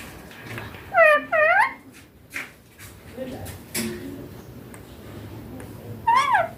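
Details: Baby green Indian ringneck parakeet giving two quick, rising-falling speech-like syllables, a pause with faint indoor sounds, then one more similar phrase.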